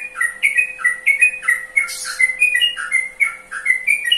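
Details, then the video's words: Trucukan (sooty-headed bulbul) song: clear, rich whistled notes in quick repeated phrases, each a short downslurred then rising figure, about three per second, with a steady faint hum beneath. "Mengenal Karakter Suara Burung Trucukan"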